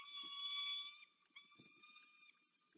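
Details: Female peregrine falcon calling to her mate in Dolina Baryczy, Poland, in March 2024: one strong harsh wail fading into a softer, thinner second note, with light knocking sounds beneath.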